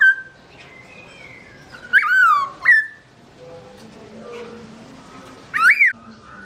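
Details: Black-throated laughingthrush (Garrulax chinensis) singing while its owner is away: a soft whistle, then two loud looping whistled notes close together, a quiet gap with faint low murmuring, and one final loud rising-falling whistle.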